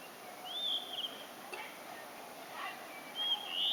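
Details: Blue-and-white flycatcher singing, heard but unseen: two clear whistled phrases, the first sliding and warbling near the start, the second rising at the end, with a faint murmur between them.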